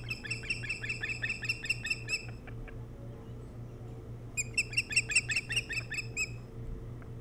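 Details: Nest-cam recording of an osprey on Hog Island, Maine, early morning of 3 July 2018: rapid series of high, ringing chirps for about two seconds, a quiet gap, then a second longer chirping burst, with low mechanical hum beneath.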